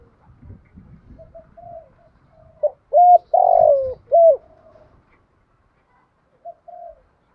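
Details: Spotted dove used as a decoy bird, calling with loud low coos: a short note, a longer burbling coo and another short note near the middle, flanked by softer quieter coos; faint low rustling underneath.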